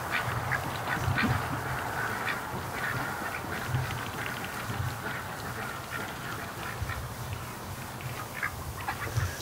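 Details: Domestic ducks in their pen at night, some asleep while others stay awake; soft, scattered quacks and low murmuring come irregularly over a constant hiss, with a man talking quietly.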